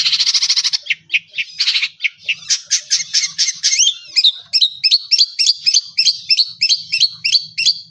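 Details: Captive long-tailed shrike, a contest champion, in full mimicry song to stir rival birds: harsh buzzy notes and dry rattles give way to a fast, steady series of sharp clipped chirps, about three per second.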